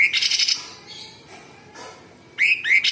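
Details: Sooty-headed bulbul singing a harsh, buzzy rattling phrase, falling briefly quiet with faint sounds, then resuming with two quick rising whistled notes and a scratchy burst.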